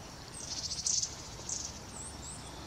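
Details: Long-tailed tit (Aegithalos caudatus) calling on 10 November 2018: thin, very high, slightly buzzy notes in short bursts every half second or so, over a soft low outdoor hum.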